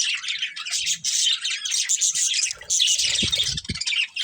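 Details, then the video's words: Colourful budgies chirping in a busy flock chorus: dense, scratchy high warbling and chattering that runs almost without pause, with a few soft low thumps near the end. "Colourful Budgies Chirping Sounds"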